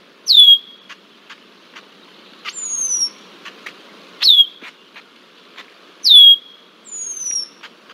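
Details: A persistent red-winged blackbird at the Decorah bald eagle nest, Iowa, on 20 July 2023, giving sharp, high, down-slurred whistles about every two seconds, with softer rising-and-falling notes and faint ticks in between.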